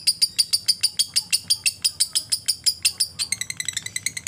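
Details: Lovebird giving a ngekek trill meant to stimulate other lovebirds to sing: a long, fast string of sharp, high chattering notes, about six per second, that breaks into quicker, thinner stuttering ticks near the end.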